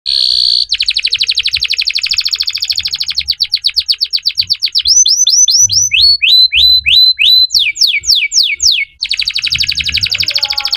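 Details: Belgian canary singing: a long buzzy high trill, then a rapid series of repeated notes, then looping upward-sweeping whistles and steep falling slurs, ending in another fast trill; faint low thumps beneath.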